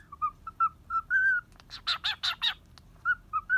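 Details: Cockatiel staying at a Kobe bird hotel, playing happily while balancing on a person's hand. Soft short whistled chirps, one longer drawn-out whistle, then a burst of four rasping screeches before the chirps return.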